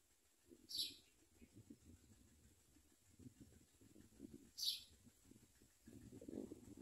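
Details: Begging from hungry common myna chicks receiving locusts: two sharp, hissy high bursts about four seconds apart, separated by soft low scratching and rustling sounds.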